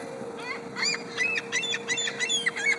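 Gulls giving a run of harsh, nasal, yelping calls, several in quick succession, over a steady low hum.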